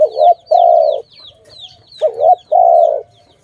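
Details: Low cooing from a dove in a trapping context, two phrases of a short rising-falling note and a sustained buzzy hum, with small birds chirping in short downward slurs overhead.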